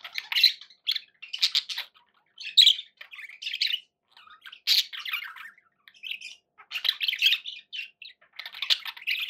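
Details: Indoor pet budgies produce choppy runs of harsh squawks, twittering chirps and scratchy warbles, bursts coming irregularly about every second with brief quiet breaks.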